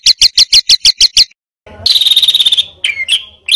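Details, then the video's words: Bird song used as master material for competition birds. A row of eight evenly spaced sharp high chips is followed after a pause by a rapid buzzy rattle and slurred whistled notes. "SUARA BURUNG MASTERAN BURUNG LOMBA"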